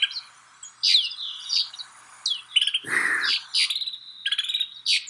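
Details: Snow buntings in Kananaskis, Alberta, Canada, giving short sharp chirps and brief buzzy notes in irregular bursts, several overlapping, with a short low rumbling thud near the middle.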